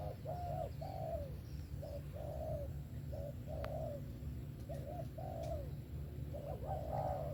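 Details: Spotted dove singing in the sấm thổ style with a 'về tàng kèm 123' finish: paired soft coos, a short note then a longer slurred one, repeated about every second and a half, over low background hum.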